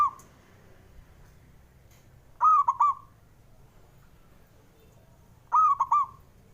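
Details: Call of a male zebra dove, played to push lazy doves into calling: two clear, rolling coo phrases of three quick beats each, about three seconds apart, over a quiet background.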